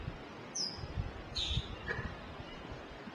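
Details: A Red-headed Manakin in Frei Caneca (Jaqueira) Reserve, Pernambuco, NE Brazil, in September 2011 gives a few thin, very high notes, the first sliding down and a higher one following, over a steady low forest hiss.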